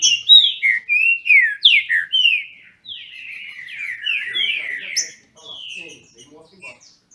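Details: Green-winged Saltator (trinca-ferro), captive in Brazil, disputing in song: an opening volley of rapid, loud, descending whistles, then a quieter stretch of softer phrases and isolated notes.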